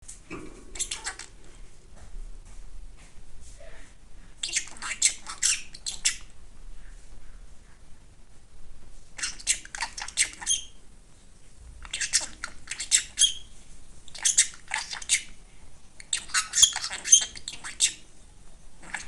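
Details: A male pet budgerigar sits in the morning sun and chatters in imitated human speech. The rapid, high, scratchy bursts of mimicked words come in phrases about a second long.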